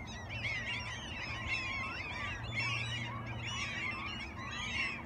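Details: Several gulls calling in Alaska, loud clustered squeals and laughing cries coming in waves about once a second, low hum beneath.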